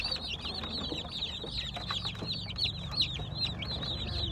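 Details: Baby chicks giving high, arched peeps in quick irregular succession, more than two per second, with faint low room noise beneath.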